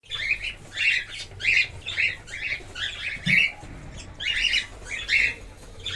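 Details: Cockatiels kept in a breeding colony, repeated harsh screeching calls in bursts about every half second to second, several birds overlapping, with low background hum.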